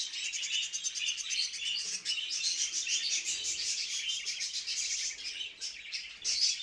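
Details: Budgerigars giving mating calls, used to bring birds into breeding condition: continuous dense warbling chatter of many overlapping chirps and squeaks with no pauses.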